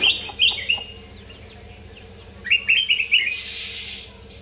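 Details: Sooty-headed bulbul, known locally as kutilang emas, from North Sumatra, in full song for use as a master track for training. Clear whistled notes open the clip, then a rapid run of five or six chirps, then a burst of hiss.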